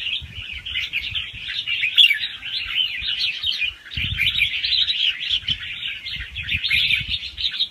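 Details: Young wild red-whiskered bulbul giving fast-round song with doubled phrases, meant to rouse other birds; steady, busy warbling that barely pauses, with soft low bumps in the background.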